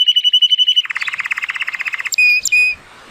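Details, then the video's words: Timbrado Español canary, a male born in 2018 and rated 83 points, singing powerfully on a sunny day: a steady whistled note, then a fast rapid trill of repeated pulses, ending in two bright metallic high notes. "The most PLEASANT Canary training song"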